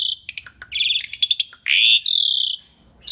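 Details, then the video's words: Vigorous Asian pied starling song meant as a training master: clipped chirps and a short buzzy trill lead into two long, loud, harsh rasping notes, then a pause. "kicau jalak suren masteran gacor"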